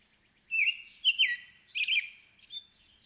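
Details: Clear, rich American robin song: three warbled whistles followed by a thin high squeaky phrase, against a hushed background.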